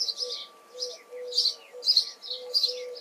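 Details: Harsh, rapid chirping of a house sparrow in June, about two notes per second, with gentle low cooing running beneath.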